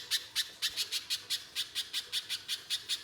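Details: Spiderhunter song used as a lure to get another spiderhunter singing: a rapid string of harsh, sharp, high chattering notes, about four or five a second, fairly even in loudness, with no other clear sounds.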